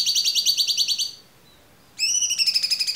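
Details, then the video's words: Clear-voiced cucak cungkok recorded as a tutor for murai batu, cendet, kacer and konin: two fast, evenly pulsed buzzy rattles separated by a brief pause of under a second. "MASTERAN AMPUH CUCAK CUNGKOK suara jernih"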